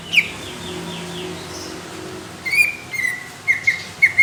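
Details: Greater green leafbird with thick, coarse song bursts sought by contest judges. A near-silent stretch with a faint high note is followed by a late series of short, sharp whistled chirps repeated about every half second.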